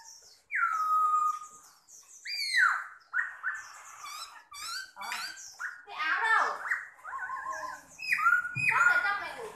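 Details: A captive Chinese hwamei (Garrulax canorus) gives loud, varied song: rich slurred whistles, sharp rising and falling phrases and rapid chattering notes following one another almost without pause.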